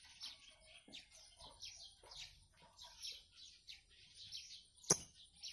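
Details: Blue-crowned hanging parrot in 'gacor' full song: thin, high-pitched squeaky chirps repeated in quick irregular runs, a few lower clucking notes mixed in, and one sharp click near the end.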